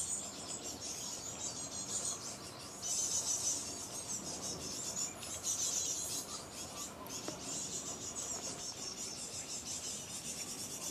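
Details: Fledglings chattering at Dancersend on 29 May 2011: a dense, continuous high-pitched twittering wash with brief louder bursts around three and six seconds, over steady outdoor background noise.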